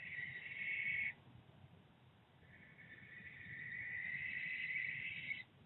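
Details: Barn owls, a pair seen house hunting at Charvil in Berkshire on 16 September 2021, give a short rasping hiss-screech of about one second, then after a pause a longer, strengthening screech lasting some three seconds.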